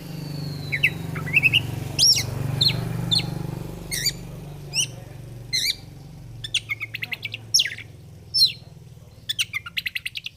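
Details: Oriental magpie-robin in full fighter song, flaring its feathers. Scattered whistles and upslurs give way to rapid rattling trills of clicking notes over a steady low background rumble.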